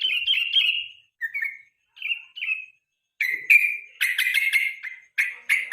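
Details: Evening song of a yellow-vented bulbul, kept as a master recording for national-level songbird contests: short falling whistled phrases, then denser bright chattering bursts toward the end.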